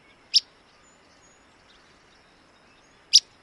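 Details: Willow flycatcher in Wisconsin giving two short, sharp single-note calls about three seconds apart over a steady hiss of background noise.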